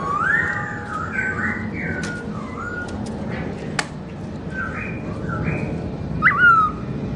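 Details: Black-throated laughingthrush singing melodiously while its owner is away: looping, slurred whistles in bursts with short pauses, a few sharp knocks, and a bright upward whistle near the end.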